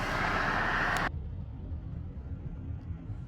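A broad roar of passing vehicle noise cuts off abruptly after a second, leaving low rumble with no animal calls.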